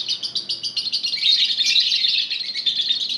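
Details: Flock of lovebirds, sound meant to trigger singing in other lovebirds; a continuous, rapid, shrill chattering of many fast notes, growing denser and louder halfway through.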